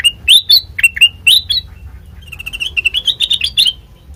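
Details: Lure song of sooty-headed bulbul for prompting untrained birds to respond: loud, sharp upslurred notes at first, then a quicker string of softer rising chirps, with a quiet hum underneath.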